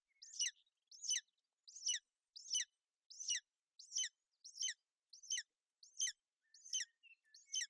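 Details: A golden eagle nest in Bucovina on 28 May 2021, with the female keeping her chick warm and dry in poor weather; about eleven high, sharp chirps repeated roughly every 0.65 seconds, with a few faint notes between them.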